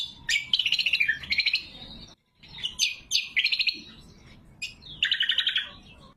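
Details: Clear lesser green leafbird song for luring and training: sharp chattering bursts and descending pulsed trills, a brief silence, then more quick scratchy phrases and a final fast trill.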